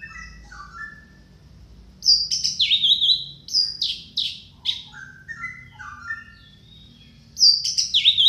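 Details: Orange-headed thrush song used as a lure to coax a reluctant caged bird into singing. Loud, varied high phrases: sweeping whistles, sharp down-slurred notes and rapid buzzy bursts, separated by a quieter stretch of lower whistled notes.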